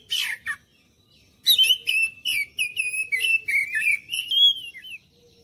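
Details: Oriental magpie-robin song used as a lure to prompt other birds to sing and respond: a harsh buzzy burst, then a run of high whistled notes, some sliding downward, ending on a rising whistle.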